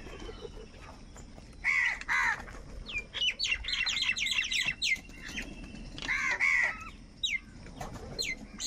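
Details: Crow gathering around food: two pairs of loud, hoarse caws stand out against a quiet background, mixed with sharp, brief chirping notes from other birds.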